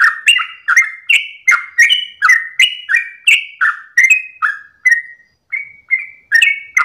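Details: Long 'ropel' song of a sooty-headed bulbul at dawn: quick bright chirps in rapid succession, a brief half-second pause near the end, then the chirping resumes.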